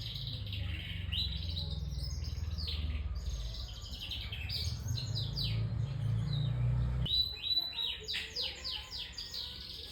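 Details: Canary singing in fast, high chirps, quick downward-sweeping notes and twittering trills, heard over a strong low rumbling noise that lasts through the first seven seconds and then drops away.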